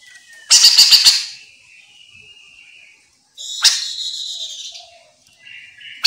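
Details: Lure recording of a Chestnut-capped laughingthrush meant to prompt replies from other birds; a loud grating rattle of four or five rapid pulses, a thin whistle, then a long nasal buzzy phrase and short squeaks.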